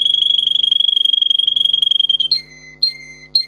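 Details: Russian singer canary song used to train canaries: a fast, even high trill for about two seconds, followed by three separate notes that each drop sharply in pitch, evenly spaced.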